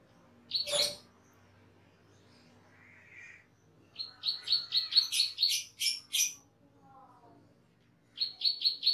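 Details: Cucak keling, a caged bird in a master recording for training other birds, gives a sharp opening note, soft twitters, then a fast series of loud high repeated notes and another brief run near the end.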